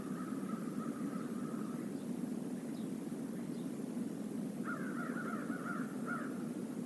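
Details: Crows visiting a stream area: a long drawn caw in the first two seconds, then a rapid run of caws from about 4.6 seconds, over steady rushing water.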